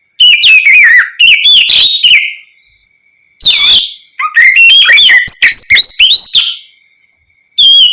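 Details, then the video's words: Kacer, the Oriental magpie-robin, in open ngeplong song meant to prompt any other magpie-robin to reply: four loud phrases of varied falling and rising whistles and chips, with silent gaps of about a second. "Terapi suara Kacer ngeplong untuk pancingan Kacer apapun agar ikut bunyi nyaut gacor"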